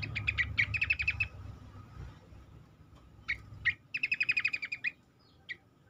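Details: Cingcoang song as a lure to get other birds singing: fast rattling series of sharp chirps, isolated notes, then another quick trill and a final chirp, with low rumbling noise early on.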